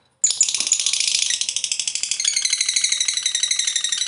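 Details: A long, unbroken lovebird chatter in the ngekek panjang style, meant to spur lovebirds into song: a sudden start, then a rapid, grating, high-pitched stream of even pulses lasting nearly four seconds.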